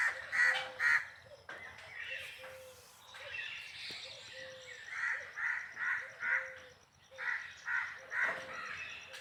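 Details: Peacock calls: two loud nasal wails opening the stretch, then a run of fainter repeated harsh notes roughly every half second, over steady high insect-like ticking and descending whistles from other birds.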